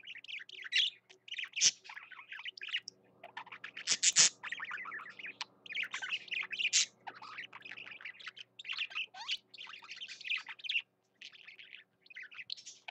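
A budgerigar warbles steadily, mixing chirps, clicks and squeaky buzzy notes in a rambling high-pitched stream, with a faint low hum partway through.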